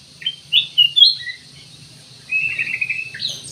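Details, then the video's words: Black-crested bulbul giving a few bright slurred notes, then a brief pause, followed by a buzzy trilled phrase, with low humming noise behind. "BURUNG CUCAK EMAS / KUTILANG EMAS"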